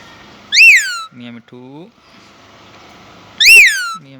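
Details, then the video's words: Talking pet Indian ringneck parakeet, Urdu/Hindi voice: two loud harsh screeches three seconds apart, with low nasal voice-like murmurs between them. "talking parrot🦜 | Indian ring Nike Mitthu | cute parrot sound | voice urdu/hindi"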